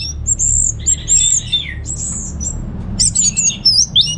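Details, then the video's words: Home-kept orange-headed thrush from Singaraja, Bali: high, thin sustained whistles and a descending slurred phrase, a pause, then a brisk chatter of sharp receh-style notes. A soft low hum plays in the background. "Receh & Jos Suara ANIS MERAH Berkicau"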